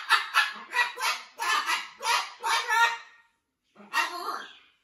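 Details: Parrot chatter at a rescue where a blue-and-yellow macaw is getting used to its new flock: a string of loud, rasping squawks in quick succession, a short gap, then one more grating call.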